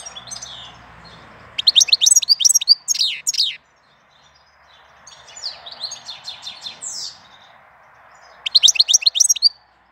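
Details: Song of a bird in April: quick bursts of high sharp repeated notes, roughly four per second, over a steady low hiss of background noise.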